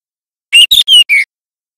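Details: Young White-rumped Shama learning song, loud and clear, used for luring and training birds: four quick high whistled notes, the last lower and slightly falling, on a silent background.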